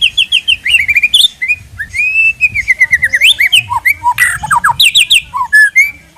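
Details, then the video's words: White-rumped shama lure song, a dense, varied stream of whistled slurs, trills and short chips, shifting between higher and lower notes without pause. "Pikat Suara Burung Murai Batu"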